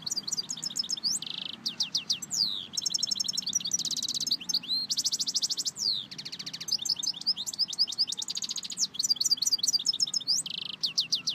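A European goldfinch sings a fast, continuous jumble of tinkling twitters, liquid trills and buzzy nasal notes, high-pitched and without pause throughout.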